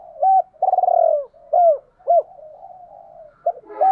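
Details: Spotted dove kept as a decoy bird, giving the hai hậu cooing pattern: a short hoot, a long vibrating falling coo, then two arched hoots, with low soft murmuring between phrases.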